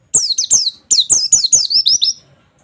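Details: Training audio of an oriental white-eye in 'nembak' style, 'wit wit wit': bright, thin, downward-sweeping whistles, three at first, then a quicker string of about seven.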